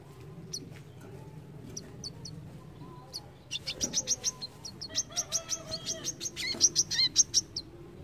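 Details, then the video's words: Brown-throated sunbird in a rapid, mesmerizing song burst: scattered thin high chips at first, then a fast run of sharp, bright, high-pitched notes building in loudness, over a steady low hum. "BESETAN MEMUKAU KOLIBRI KELAPA"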